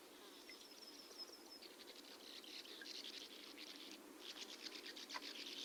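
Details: Bank swallows, which nest in colonies in burrows dug into sand pits and quarries. Rapid, harsh, buzzy rasping notes come in dense bursts, with a steady hiss behind them.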